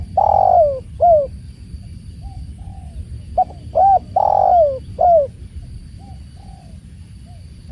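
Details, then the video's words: Spotted dove (tekukur) calling beside water: two full cooing phrases, each a short note, a hooded mid-pitched coo, then a long drawn coo sliding downward and a final falling coo, followed by fainter distant coos over a steady low rushing background. "with tekukur and the sound of water"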